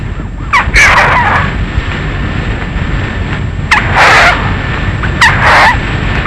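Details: Bird call used as a night-time lure; three loud bursts about every two seconds, each a sharp rising note followed by a harsh, rasping, noisy call.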